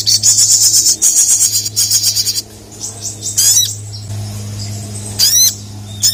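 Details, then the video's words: Ruby-cheeked sunbird challenging rivals with repeated bursts of shrill rapid trilling, followed by a few sweeping, zigzag high chirps over a constant low hum. "SOGON GACOR MEMANGGIL LAWAN, BIKIN BURUNG SOGON SIAPAPUN LANGSUNG NYAUT DAN EMOSI"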